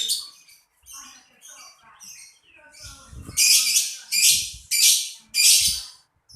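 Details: Lovebird twittering with soft high chirps that build into four loud, harsh screeches evenly spaced near the end, with faint low thumps beneath.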